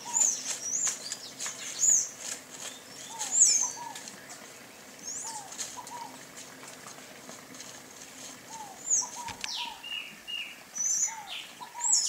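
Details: Over twelve seconds a sayaca tanager repeats sharp, high squeaky notes in irregular bursts, while lower downslurred double whistles from a second bird recur throughout.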